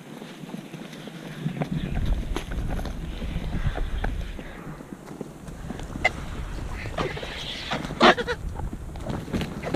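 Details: Griffon vultures scavenging the remains of a hunted red stag in Portugal give harsh hisses and rasping, grunting calls over a steady low rumble.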